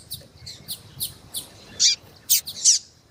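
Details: Female double-collared seedeater in breeding condition calling intensely to stimulate a male; a series of short, high chirps, spaced irregularly, with the last few notes louder and sharper.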